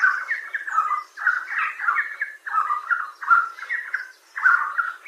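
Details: A Red Spurfowl, a ground bird of Indian dry and moist forests, gives the male's rapidly repeated two-part k-or-quack call, often given mornings and evenings, in quick bursts about two a second, with nothing else heard.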